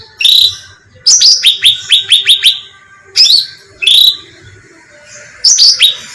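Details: Cucak ranting bulbul bait call for attracting birds: short bursts of high, squeaky, downward-swept chirps, one quick run of about six notes, separated by silent gaps of one to two seconds.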